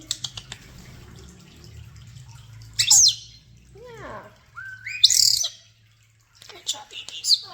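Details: Common starlings kept indoors in a bird room: sharp high chirps, a loud squawk, a descending series of harsh downward sweeps, then a rising whistle and further bursts of shrill chatter, with a low hum underneath.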